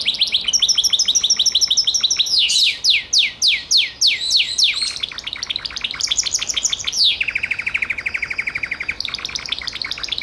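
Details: Varied canary song from a Gloster canary: a buzzy trill, then loud descending swept whistles, a rapid rattle, and a lower rolling trill before higher notes return.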